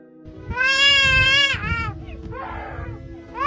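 A black-collared starling gives a loud, wavering, harsh wail lasting about a second, followed by shorter squawks, over faint background music.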